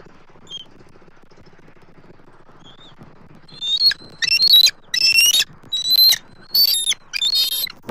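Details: Bald eagle pair feeding their eaglet together at the nest on January 21, 2024, after the male brings a fresh fish: after quiet, a run of shrill, harmonic, piping chatter in six bursts of rapid notes, roughly one burst per second.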